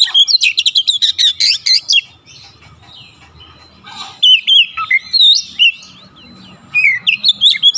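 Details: Oriental magpie-robin (kacer) in full song: bursts of rapid, varied whistled and chattering notes, high and sharply modulated, broken by a quiet gap of about two seconds before more sweet warbled phrases resume.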